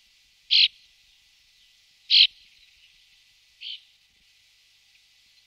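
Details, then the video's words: Bramblings, two pairs watched through an afternoon and evening: short buzzy, wheezing notes, three in a row about one and a half seconds apart, the last one fainter, in an otherwise quiet setting. "Bramblings (Fringilla montifringilla)"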